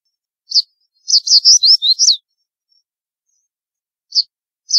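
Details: Crested bunting (Emberiza lathami) in Rajasthan, India, singing a quick, high phrase of about eight sweet, slurred notes, with single high chips before and after; no other sounds.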